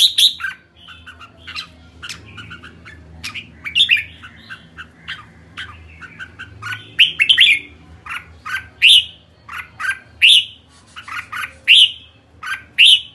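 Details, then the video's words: Kekek calling by a red-whiskered bulbul: a long run of sharp, chattery chirps, sparse at first, then bursts of bright upward-flicking notes roughly every second toward the end, over a soft low hum. "Merbah jambul kekek"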